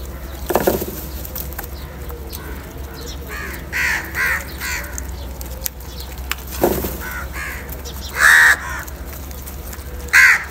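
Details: Crow calling while eating salty food: a few harsh, hoarse caws spaced irregularly across ten seconds, the loudest two near the end, over a constant low background hum.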